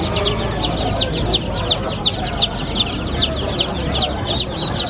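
A crowd of chicks peeping in high, thin, falling notes, many overlapping at a fast, steady pace, over a low background rumble.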